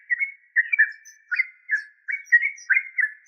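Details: Yellow-vented bulbul (trucuk) giving a rapid string of short, liquid, slightly slurred notes, steady in pitch, several per second.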